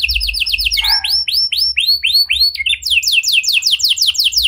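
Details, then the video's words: Canary singing loudly in a unique cengkok style as a lure for silent canaries: quick trilled notes, a run of swooping arched whistles, a brief buzzy note, then rapid falling trills. "Buat Kenari Macet Anda Respon Dengan Suara Pancingan Kenari Gacor Ini! Kenari Gacor Cengkok Unik"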